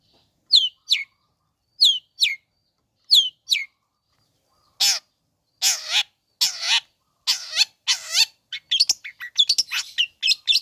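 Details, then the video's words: Long-tailed shrike calling to provoke rival shrikes: paired sharp downslurred whistles, then loud nasal rasping squawks, followed by a rapid jumble of chirps and squeaks. "Bikin Cendet Loyo Kurang Emosi Agar Segera Terpancing Emosi &Ikut Bunyi"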